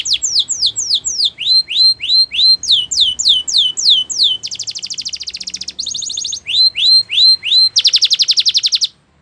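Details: Canary, Spanish Timbrado style training song: rapid series of repeated downward-sweeping whistled notes, metallic trills and buzzy rolled phrases, about 214 notes a minute, bright and loud with no other sounds.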